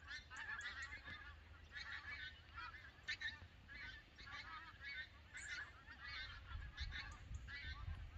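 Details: Migrating Canada geese at Lambwath Lakes, Aldborough: a large flock gives rapid, crowded honks in bursts throughout, with a short high squeak near five seconds and light wind rumble towards the end.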